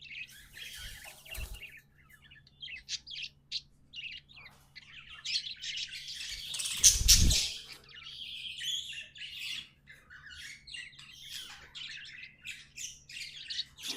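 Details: Pet budgies twittering softly in short high chirps and squeaky notes, with one loud burst of chatter together with a low thump near the middle.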